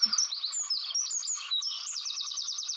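A wren pours out a loud, very high, rapid song of tumbling notes that ends in a fast, rattling trill.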